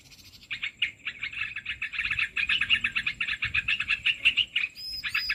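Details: Olive-winged bulbul (merbah belukar) lure call used to attract birds for trapping with nets; rapid chattering bursts of bubbly, liquid notes repeated about three per second, with a steady faint high whine throughout.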